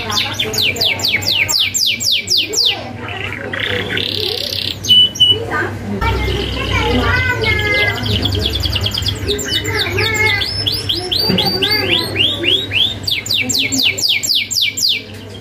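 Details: Long canary performance with sharp rolls, used to teach young canaries: bursts of fast descending sweeps alternate with buzzy rattles, chattering warbles and rippling trills, all high-pitched, above a steady low hum.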